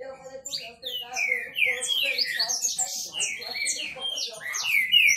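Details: Green-winged saltators, kept birds, males singing against each other in a contest: rich overlapping whistled phrases, many sliding downward, packed densely throughout, with a steady low hum beneath.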